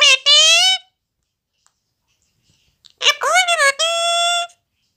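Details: A talking Alexandrine parakeet says "Mummy Mithu bete" in two short bursts of high, nasal, word-like speech with a two-second silence between them, in a quiet room.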